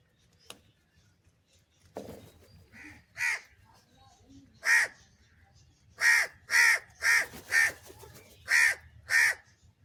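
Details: Crow in the USA cawing while being fed and calling for cheese, a run of loud harsh caws that comes faster toward the end, with softer sounds early on.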